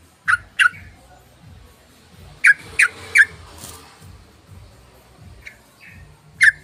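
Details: Yellow-vented bulbul calling to lure other birds: scattered harsh, punchy notes in pairs and a quick triplet, with softer notes between and a steady low rumble underneath.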